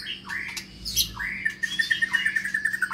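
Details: White-rumped shama singing in a cage: whistled slurred phrases, then a quick run of short repeated bright notes speeding up toward the end, with a faint steady hum beneath.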